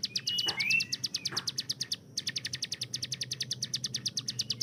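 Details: Hill prinia tutor bird with a fast, AK-47-like 'tembakan' delivery. Two quick bursts of high, sharply repeated notes are split by a brief pause. Faint rising whistles and low thuds are heard at the start.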